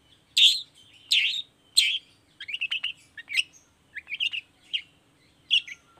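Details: Long-tailed shrike lure recording: three loud harsh rasps about a second apart, followed by a medley of short twittering chips and whistled notes.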